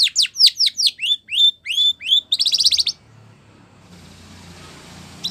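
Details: Spanish Timbrado canary song for training canaries: loud descending whistled notes repeated quickly, then a fast buzzy trill ending near three seconds, followed by quiet background hiss.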